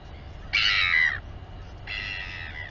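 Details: At a nest on Taiaroa Head near Dunedin, New Zealand, a royal albatross feeds its chick on a nest camera. Two drawn-out, harsh, harmonic, nasal calls, the first loud and slightly falling, the second softer, about a second apart.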